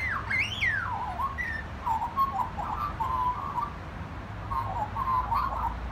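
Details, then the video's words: Magpie singing at a family home, opening with high sweeping whistled slides that drop in pitch, then settling into a lower rolling warble of short notes. "Magpie singing at Dad’s 2"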